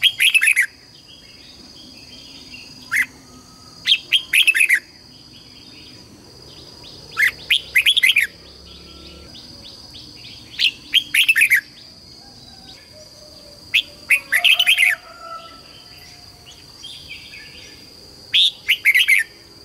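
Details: A caged red-whiskered bulbul (Pycnonotus jocosus) sings a standard master song with doubled and tripled notes, short, bright, bubbling phrases every few seconds over a steady high whine; red-whiskered bulbul.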